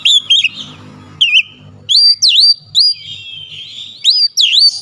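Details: Agitated Oriental magpie-robin (kacer) showing off its repertoire, with sharp swooping whistled notes, some V-shaped and some rising, broken by short pauses, over a faint low rumble in the background.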